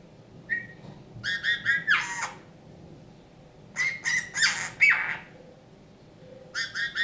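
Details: Rescued Eurasian bullfinch kept indoors, performing its folk-song style singing: a short whistle, then stacked grating, buzzy pulses and scratchy rasps in three bursts separated by pauses, with faint room noise.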